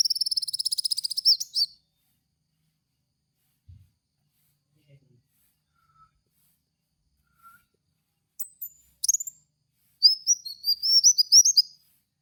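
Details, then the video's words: Kolibri wulung song as a lure for cage birds: a rapid high buzzy trill opens, a long near-silent gap follows, then a few sharp chirps and a twittering phrase close. "pancingan suara burung kowul"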